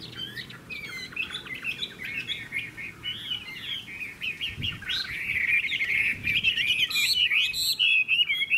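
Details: Chinese hwamei, noted as a strong singer, starts with a quieter chatter of quick notes, then grows into loud, dense whistled phrases and rapid trills through the second half.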